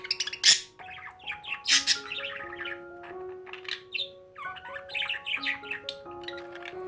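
A budgerigar warbles a fast, scratchy run of chirps, squawks and twittering notes, with soft background music playing steady tones underneath.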